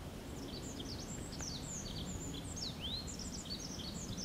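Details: Olive-backed pipit singing in high-mountain forest on 8 June 2013: very high, thin slurred notes and quick trilled phrases strung together, rather faint over a steady rushing background of wind or water.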